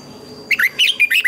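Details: Red-whiskered bulbul singing in training recordings for caged birds: a quick string of about six bright, warbling whistled syllables, each slurred up and down, delivered rapidly over less than a second.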